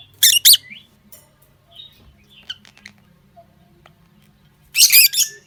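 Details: A pair of lutino lovebirds giving shrill, harsh chirps: two sharp bursts at the start, quiet softer twitters, then a dense screechy burst near the end. Faint low hum underneath.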